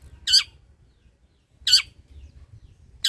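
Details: Long-tailed shrike, an active singer used as a lure: two loud, rough rasping squawks about one and a half seconds apart, a third beginning at the end, with near silence and faint low hum between.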